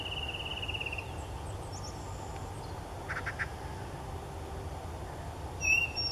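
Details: Yellow-breasted chat, a first record for Magnuson Park, giving its complicated song: a quick dry rattle, thin high whistles, a few harsh quacking chucks and a final sharp whistle, over steady low background rumble.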